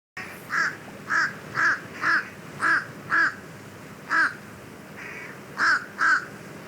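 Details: Fish crow of the southeastern US, told from American crow by voice, gives about nine short, nasal caws, each clipped and pinched like a stuffy nose, at uneven half-second to one-second gaps over faint hiss.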